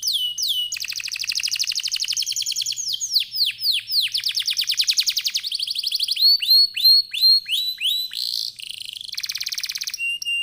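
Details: Energetic canary song meant to provoke other canaries into singing: rapid rattling trills, rows of falling chip notes and bright upward-curving whistles, a continuous varied stream with no other sounds.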